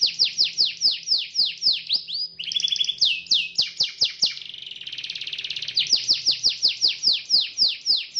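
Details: Canary pancingan song meant to make canaries sing eagerly: fast downslurred whistled notes repeated about four per second, interrupted by a harsh rattling phrase and a buzzy trill before the sweeping notes resume.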